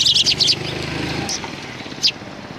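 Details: Several sparrows recorded on 17 January 2020 behind a civic cultural hall give a quick run of high, bright chirps at the start, then two more isolated chirps, over a low engine-like hum.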